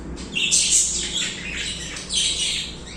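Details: Budgies chirping and warbling nonstop, a dense stream of high scratchy twitters and squeaky notes that swell near the start and again toward the end, over a faint steady low hum.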